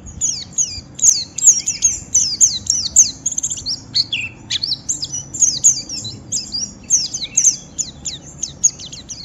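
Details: White-eye singing harsh ngeriwik song to provoke a rival into calling back; long run of very high, sharp downslurred chirps, several per second in bursts, over quiet low hum.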